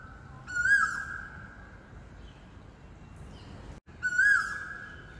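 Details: Bird called black oriole, recorded near residential blocks, giving two prolonged, even whistled howls with a quick rising onset, separated by a pause of about three seconds; a faint hiss of background noise throughout.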